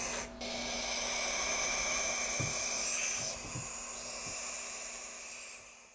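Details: Baby barn owls, the first of 2012, one bandaged after breaking a leg when its nest box fell from a tree; long breathy, raspy snore-like hisses run continuously for several seconds, swelling and fading, with a few soft low thumps.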